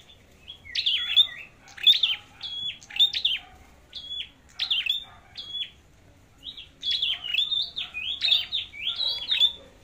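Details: Flowerpecker singing in a singing competition: clean, high, sharp chirps delivered in quick clusters of two to four notes, a short pause near the middle, then denser runs of chirps to the end.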